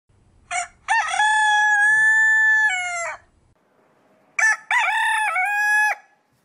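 A rooster crows twice: a short note leading into a long, loud, harmonic-rich cry held about two seconds, then a second crow with a brief broken start.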